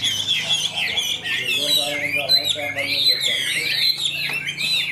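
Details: Chinese hwamei kept in a cage, singing a continuous, high, fluid warble of slurred whistles and twittering phrases over a low hum of human voices in the background.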